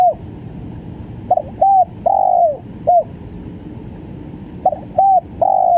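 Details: Spotted dove cooing, low hooting notes in short groups of two or three, the last note drawn out, with constant hissing background noise.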